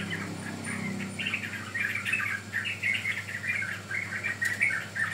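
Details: Bulbul chatter from a sooty-headed bulbul lure recording: quick fluty chirps in uneven bursts, some squeaky and rising, with a steady low background hum.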